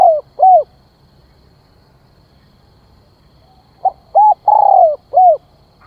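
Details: Decoy spotted dove calling to draw in wild birds: two arched coos, a quiet gap, then a full phrase of clipped note, arched coo, long drawn falling coo and closing arched coo.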